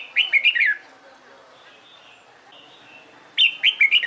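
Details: Competition-trained red-whiskered bulbul singing: a rapid run of four or five bouncing whistled notes, a pause with soft distant chirps, then another quick rollicking phrase.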